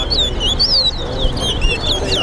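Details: Towa-towa bird in a singing competition at Better Hope Bird Ground: quick, high whistled notes sweep up and down in a busy run, with other birds overlapping and a low background rumble.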